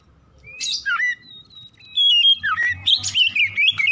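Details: Morning song of an Oriental magpie-robin, played to prompt singing: a sweeping whistle and long level note, then a quick chattering run of high, buzzy and whistled phrases.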